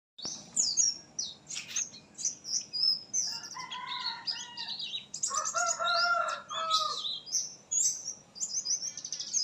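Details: Oriental white-eye singing after misting: rapid high, thin twittering chirps in bursts, with lower harmonic, buzzy phrases woven through the middle and end of the sequence.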